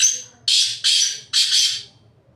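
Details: A black francolin calls from a rock top, the phrase caught mid-way: a fading scratchy note, then three to four loud, gritty rasps in quick succession, ending in quiet.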